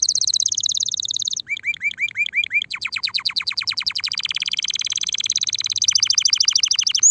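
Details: Canary in breeding condition, named as a Spanish Timbrado (listed as Belgian canary), sings a fast, bright song: a high trill, a run of repeated rising whistled notes, then long rapid metallic rolls.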